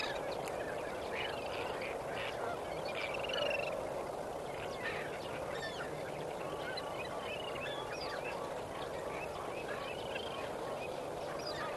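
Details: Lesser flamingos at Kamfers Dam at sunrise on 18 May 2024, a dense flock giving a continuous chorus of nasal, goose-like honks over a steady broadband murmur, with scattered higher yelping notes.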